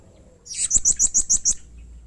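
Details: Blue-crowned hanging parrot in emotional, rough calling that stirs other hanging parrots to respond; roughly seven shrill, high chipping notes delivered rapidly and evenly over about one second.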